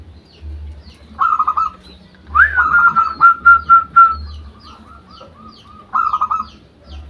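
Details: Captive zebra dove (perkutut) from a keeper's collection, described as singing well with good rhythm, gives rolling, purring coo phrases in short bursts, a long sliding whistle between them, and a faint low hum underneath.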